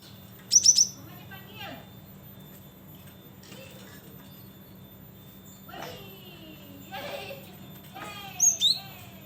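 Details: Cinereous tit in lively voice, played as a lure for trapping birds: a quick burst of three high, sharp chirps near the start, a pair of similar thin chirps at the end, and faint scratchy calls between over steady low hum.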